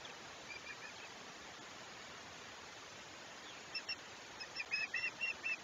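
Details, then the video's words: Osprey at its Chesapeake nest, 21 July 2021; after several seconds of mostly hiss with a few faint notes, a burst of quick, high chirps begins near the end. "Chesapeake Osprey Nest"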